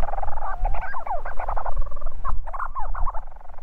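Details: A Leach's Storm-petrel gives a fast, rhythmic, giggling chatter of mid-pitched churring notes in two bursts, over heavy wind rumble, at night on the Hornøya bird cliff, Norway, on 10 September 2016.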